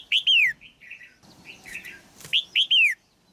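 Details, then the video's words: Caged female red-whiskered bulbul singing to stimulate an adult male: loud whistled phrases of three or four notes, each sliding down from high to middle pitch, with softer chattering notes between them. "นกหัวจุก birds นกตัวเมียขับขานอย่างไพเราะในกรงเพื่อกระตุ้นนกตัวผู้ที่โตเต็มที่"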